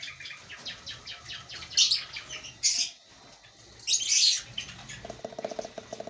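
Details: African lovebirds at a breeding colony give three loud, shrill squawking bursts between softer background chirps, with fainter scattered calls before and after.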